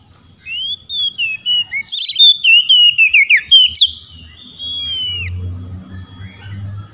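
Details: Oriental magpie-robin calling out to rival magpie-robins: a rising whistle, then a fast run of about a dozen varied whistled and slurred notes, ending in a long falling whistle, with low rumble afterward.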